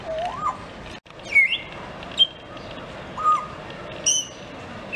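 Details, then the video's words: Grey parrot kept at the Novosibirsk zoo, July 2024, producing a series of short whistled swoops, some rising and some falling, spaced about a second apart, against faint background hum. "Попугай жако поёт"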